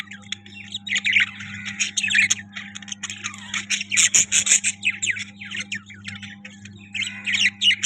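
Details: Budgerigar chirping: dense, rapid warbling chatter of short buzzy notes and squawks, with steady low hum in the background, suggesting an indoor room.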